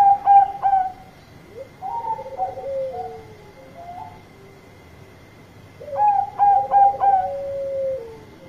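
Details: Bangkok-type zebra dove giving a loud song to call its companions: clusters of sharp, ringing, stepped notes alternate with soft purring trills that slide downward, repeated in two phrases over a faint steady hum.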